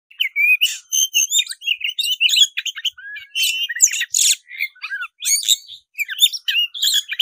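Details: Black-breasted oriental magpie-robin in full fighting-mode song, puffed up and singing wildly: a dense, unbroken stream of varied whistles, sharp chips, buzzy rasps and rising slurs, phrases packed closely together.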